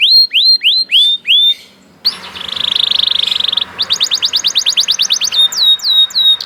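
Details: Canary said to start singing after hearing another canary: looping whistled slurs, a short pause, a hissing buzzy phrase, then a pulsed trill and more slurred notes, with background noise.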